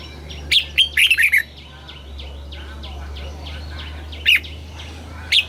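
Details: Caged red-whiskered bulbul singing in the southern master style, used to excite caged birds and teach young ones. A quick burst of five bright, warbled notes, then single sharp chirps, with faint, softer calls from another bird behind.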